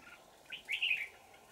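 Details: Wild old red-whiskered bulbul lured with a decoy on 20 December 2018 sings a short, fairly faint phrase of slurred whistled notes over a steady low hum.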